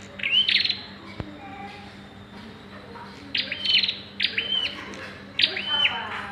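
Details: Bar-winged prinia calling at the pairing stage, giving clear high chirping notes with a flat buzzy tail, one pair early, then a quiet gap and three evenly spaced notes, with a steady low hum behind.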